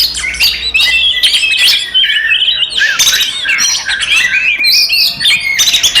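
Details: Provocative fighting song of an Oriental magpie-robin: loud, jumbled whistles, harsh squawks and sharp clicks packed in rapid succession, with short gaps.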